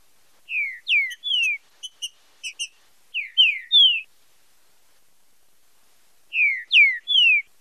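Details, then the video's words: Green-winged saltator singing the fibra com marcheado style, meant for training and stimulating song: short dry ticking notes, then three-note phrases of loud, clear, downslurred whistles, repeated after a pause, with no other sounds. "TRINCA FERRO FIBRA COM MARCHEADO - ESPECIAL PARA TREINAMENTO E ESTIMULO DE CANTO"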